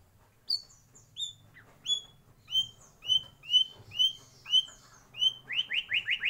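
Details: White-rumped shama in a breeding aviary delivering a string of high downslurred whistles that speed up, ending in a rapid burst of rich repeated notes.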